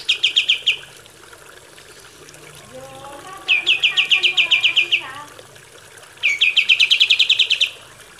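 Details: Kapas tembak song from a recording used to train captive birds: three fast trills of sharp, high chipping notes, each lasting over a second, with a quieter, lower warbling phrase between the first two.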